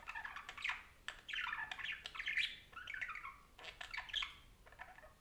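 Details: Continuous parakeet chatter: busy, rasping warbles and slurred whistles running almost without break, with a few sharper squawks mixed in.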